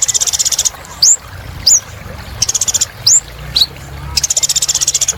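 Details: Kolibri ninja, or little spiderhunter, singing hard to encourage silent birds: buzzy high trills opening and closing, with four sharp rising whistles spaced about half a second apart between them.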